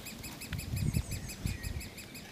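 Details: Woodpecker chicks beg with a steady run of short, arched, ringing chirps, about four a second, as the female and male feed them, over a low rumble of wind and handling noise.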